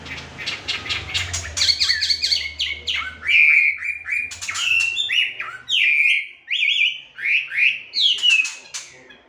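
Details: Melodious laughingthrush (wambi, Chinese hwamei) kept as a training cage bird, singing a varied run of loud clear whistles: harsh chattering notes first, then rising and falling slurred phrases repeated about once a second.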